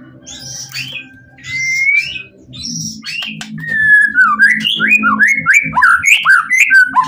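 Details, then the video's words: Caged white-rumped shama singing full of emotion to draw other shamas into replying; scattered whistled and rising notes give way to a fast run of looping, warbled phrases dipping and rising, over a faint low hum. "Murai Batu Pastol PTRK BF full emosi ... pancingan murai lain bakalan nyautt.."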